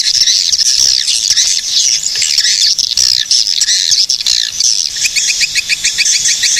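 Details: Swiftlets, Cilacap, Central Java, Indonesia: a shrill, buzzy continuous twitter for several seconds, breaking near the end into a crisp series of evenly spaced high chirps.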